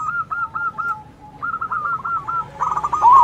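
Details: Two zebra doves trading song, a loud-voiced bird answering a local dove: strings of evenly spaced arched coos, one series fading, another rising, then dense overlapping rolling phrases at the end.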